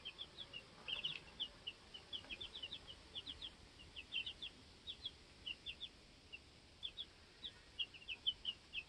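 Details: Two-week-old baby chicks in a homestead coop, learning to fly, hop around and settle pecking order, give a steady stream of short high peeps scattered across the whole stretch, with faint rustling beneath.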